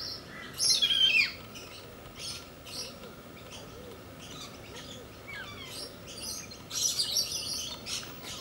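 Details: A pair of galahs playing, giving frequent rough screeching and chattering notes, some with a sliding downward tone, in irregular bursts several times a second, over faint steady hum.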